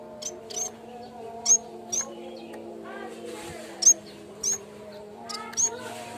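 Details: Yellow-bellied warbler lure and training sound: sharp, very high single chips every half second to second, interspersed with faint buzzy notes, against a sustained low droning background.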